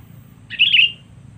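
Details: Sooty-headed bulbul lure call used to draw in rivals: one short, bright warbled phrase of about half a second, wavering high in pitch, over a faint low hum.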